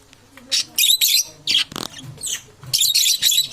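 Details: Parrots competing for survival: loud, harsh, noisy squawks in rapid bursts, one buzzy rattling note midway, overlapping calls near the end.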